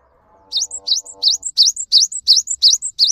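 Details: Java sparrow (gelatik batu) lure song meant to set off singing in silent or young caged birds; a fast regular run of high, bright chirps, each a down-up sweep tailed by a short whistle, about three per second, after a low hum.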